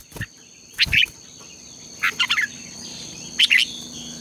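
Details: Red-whiskered bulbul contest song for training: three brief phrases of bright, quickly repeated chirps about a second apart, over a low rumble and a steady high hum.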